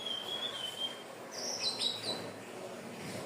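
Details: Hill blue flycatcher singing, a recording used to lure birds: one long level whistle, then a brief pause and a higher tumbling run of sweet notes over soft background noise.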